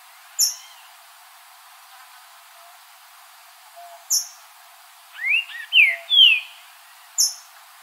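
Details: Green-winged saltator in nature delivering a phrase of four slurred whistled notes, the brightest ones rising then dropping, with isolated sharp high chips from another caller at intervals of about three seconds.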